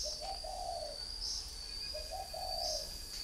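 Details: Spotted dove kept as a three-year-old caged decoy in northern Vietnam giving two quiet, low coo phrases, each rising slightly and then drawn out. A steady high hum and background hiss run throughout.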